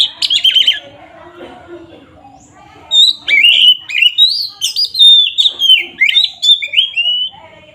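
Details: Kacer, or oriental magpie-robin, delivering an aggressive ngeplong song used to provoke rivals; short warbled burst, a pause, then a lively sequence of sweet whistles and harsh buzzy notes.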